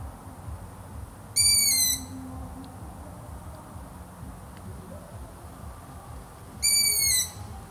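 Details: A pair of thin, creaking long-eared owl calls roughly five seconds apart, each brief and slightly descending, with faint clicks and a low steady hum in the background.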